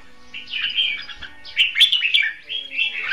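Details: Red-whiskered bulbul kept as a caged trapping decoy, delivering a short run of bright warbled notes in two bursts, with faint low background noise.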